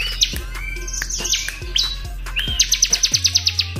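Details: Tame captive Bar-winged Prinia in full song, filled with varied mimicked songs including Cililin and prenjak: high, sharp chirps and slurred whistles pouring out, ending in a fast trill of about a dozen ticking notes, over a steady low hum.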